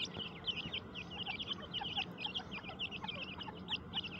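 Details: Grey francolin chicks raised in a breeding cage in breeding season, healthy and feeding. A flock utters rapid, high, slurred peeps, several each second and overlapping, over a low background hum.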